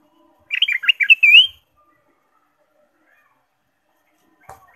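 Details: Lively ruby-throated bulbul song meant to prompt caged birds to sing: a brief burst of choppy warbled notes closing with a rising whistled slur, followed by a long quiet pause and a faint click.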